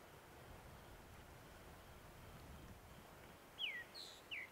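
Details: Groundscraper Thrush at sunrise on a safari drive, 13 November 2016, giving two clear, high whistled notes that slide downward, less than a second apart, over a steady outdoor hiss; thought to be singing to attract a female rather than holding territory.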